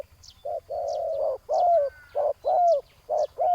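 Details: Spotted dove coos during ground decoy trapping of a big-voiced wild rival. Short notes alternate with drawn-out hollow coos, some ending with a falling slur. Brief high chirps sound faintly in the background.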